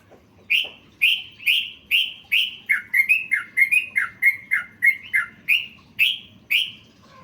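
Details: Trucukan (yellow-vented bulbul) singing a full, phrase-rich master song for training birds: a fast string of about seventeen clear whistled notes, high bright ones alternating mid-run with lower, quicker slurred notes, then returning to the high ones.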